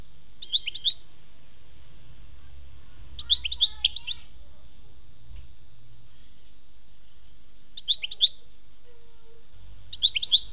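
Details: European goldfinch, khmis melyana: faint groups of three or four high, quick chirps recur every few seconds over a low background hum.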